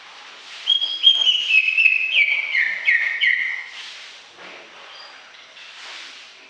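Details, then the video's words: Greater green leafbird giving a quick cascade of whistled notes stepping downward, set against a faint hiss and soft background chirps after the phrase ends. "Suara Kicau CUCAK IJO Gacor Panjang Khusus Untuk Cucak IJO Yang mogok NGOCEH"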